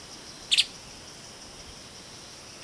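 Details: Streaked spiderhunter (Arachnothera magna) giving a sharp, high double chip, then one more clipped note two seconds later, over a steady high insect hiss.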